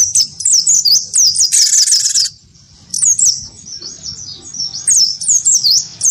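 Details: Cinereous tit, wingko type, singing hard after being provoked by a white-eye: fast sharp high chirps, many per second, one grating buzzy burst near two seconds, a quiet lull, then chirping resumes.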